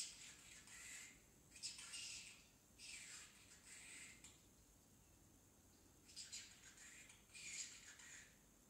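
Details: Very young pet parrotlet babbling its early words: soft, hissing, high mutters in one-second bursts, a longer pause midway, then two more whispery phrases.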